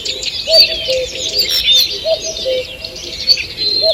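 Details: Dawn chorus in woodland on 2 June 2023: busy high chirping and warbling from several birds, while a deeper two-part hooting phrase repeats roughly every 1.6 seconds.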